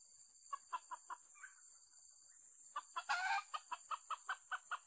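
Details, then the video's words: Red junglefowl heard while luring wild birds with a decoy: two quick bursts of sharp, rhythmic clucks, about five per second, split by a brief pause and a loud rustle, over a steady high insect whine. "ต่อไก่ป่า ไก่เสียงดีมาก"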